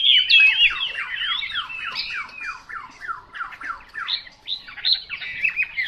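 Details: Chinese hwamei song opening with a loud swirling whistle, then a series of about a dozen sharply descending slurred notes repeated roughly four per second, ending with higher rising whistles.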